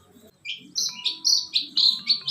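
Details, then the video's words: Long-tailed shrike in a lure recording meant to prompt caged birds that have stopped singing; a run of five or six short, sharp high chirps in quick succession, over steady electronic music tones. "Suara Pentet Guacor"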